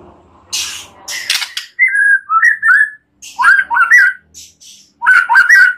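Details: White-rumped shama (murai batu) training song rich in mimicry, meant to prompt other birds to sing: harsh noisy notes at first, then slurred whistled phrases in short, separate bursts.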